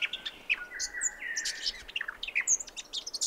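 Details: Brown Thornbill singing at 7am on 29 December 2011 on the Brandy Creek Mine Track, Mt Hotham, Victoria, Australia: high, quick twittering chirps mixed with longer steady whistled notes from other birds in the background.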